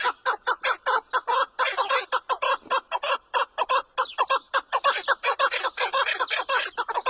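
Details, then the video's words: Chukar partridge producing dense, rapid clucking, notes crowding and overlapping in a busy, chattering stream with little pause between them. "Partridge Call | Chukar Sound"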